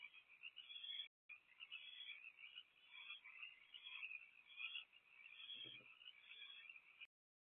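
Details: Nest-box owls during an evening rodent handoff: quieter, sustained rasping hiss with uneven pulses, briefly cut off near the start and at the end, and a soft low bump midway.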